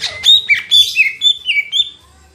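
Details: Lesser green leafbird delivering a lively chain of clear, slurred whistles that rise and fall, seven or so notes in quick succession, with a brief scratchy edge.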